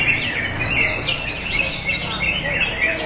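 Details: Greater Green Leafbird (cucak ijo) in the silver class of a songbird contest in Jakarta, session one, 19 February 2023: rapid bright chirps and short whistled slurs tumble continuously, with several birds overlapping and faint crowd murmur beneath.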